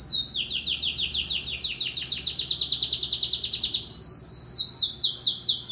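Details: Yellow domestic canary competing in a singing contest in Maripá de Minas, Minas Gerais, Brazil: fast rolling trill of high descending notes, then slower repeated downward-sweeping whistles, steady and loud over a faint low hum.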